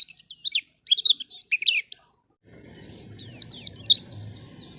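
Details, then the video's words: White-eye song as a lure to make untrained white-eyes sing: scattered high chirps and short twittering notes, a short silence, then a brief burst of rapid high whistles over a steady hiss and low hum. "Pancingan Pleci Paling Handal Bikin Pleci Bahan Cepat Bunyi"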